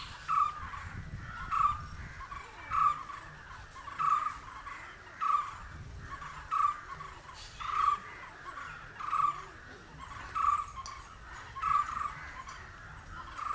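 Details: Indian barbet, a green bird, giving a short mid-pitched call note repeated steadily about every 1.2 seconds, twelve notes in all, over a constant background hum.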